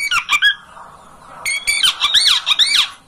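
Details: Kacer, or oriental magpie-robin, master song for stirring a home bird to spread its tail and sing: a few harsh squawky notes, a pause, then a run of looping whistled and scratchy phrases.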